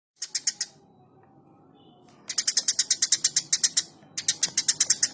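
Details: Eurasian tree sparrow chirping vigorously: after a short opening trio, fast runs of bright, sharp chip notes come at several per second, with a brief quiet gap between bursts.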